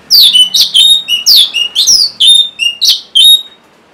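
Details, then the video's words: Caged orange-headed thrush song used as a lure to prompt stalled or reluctant birds to sing: a fast run of about ten loud, high, sharply slurred whistled notes, each with a downward glide, over roughly three and a half seconds. "C0COK Untuk Pancingan Burung ANIS MERAH Bahan Macet Ataupun Malas Bunyi"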